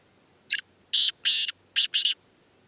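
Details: Black francolin, known locally as kala tetar or Sindhi tetar, gives a harsh grating phrase of five loud rasping notes with short pauses, the middle ones longer, in an otherwise quiet setting.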